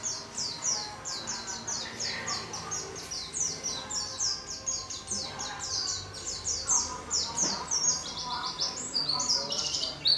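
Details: Singing warbling white-eye in a small cage delivers an almost continuous, rapid chain of high, twittering chirps, each note a quick slur, keeping up a lively, unbroken warble throughout.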